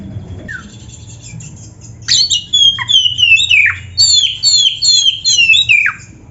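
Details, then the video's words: Oriental magpie-robin (kacer) master song for training caged birds: a short quiet start, then a loud run of high, rapidly falling whistled slurs repeated about every half second, bright and sweet. "SUARA MASTERAN BURUNG KACER GACOR ‼️ DENGAN FULL ISIAN MEWAH - SEKETIKA IKUT GACOR"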